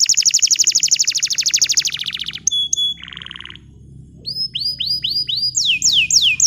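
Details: Bottle-green canary in full song, a tutor recording for young canaries learning to sing; a long fast buzzy trill, a brief lower rattling roll, then series of sweeping whistled notes.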